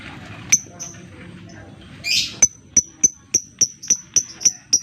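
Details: Lovebird lure to make quiet birds sing: a few soft ticks, a raspy burst, then an even series of sharp, ringing ticks about four per second.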